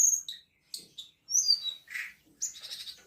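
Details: Black-winged myna singing on 10 March 2025: a varied string of piercing high whistles, slurred downward notes and a harsher buzzy note, given in uneven bursts.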